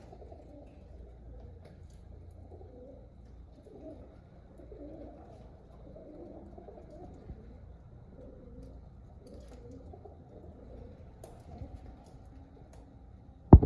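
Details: Contented pigeons, several birds cooing in a quiet, low, bubbling murmur of overlapping notes, steady throughout, with a loud bang at the very end.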